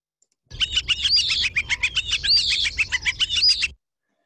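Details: European Starling using its two voice boxes at once: a fast, even string of sharp notes, probably imitating a flicker, runs beneath high, rising whistles, probably imitating an Eastern Phoebe, for about three seconds.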